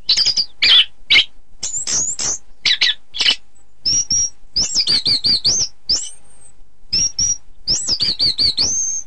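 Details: A contest-training recording of an Orange-headed thrush: choppy chirps and rasps open the phrase, then come bright, high whistles and rapid warbling loops, with one long thin whistle sliding downward.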